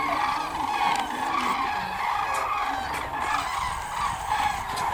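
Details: Migrating common cranes in Hungary, many birds calling at once: loud, continuous, overlapping bugling and trumpeting notes that form a steady, ringing wall of sound with no quiet gaps.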